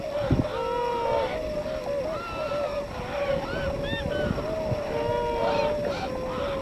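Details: Tundra swans gathering for northward spring migration at Yonago Waterbird Sanctuary, Tottori Prefecture, Japan; constant overlapping nasal hoots and bugles from many birds, with a few low thumps and a steady rumble underneath.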